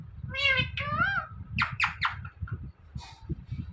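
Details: Talking parrot repeating "Mithu" in a small room: two throaty, voice-like syllables with a bending pitch, followed by quick raspy chatter and soft clicks, with low background murmur.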